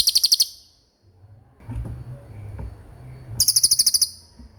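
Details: Common iora giving fast rolling song for songbird tutoring: a short burst of high rapid pulses, a pause filled with low rumbling background noise, then the quick trill resumes for about a second.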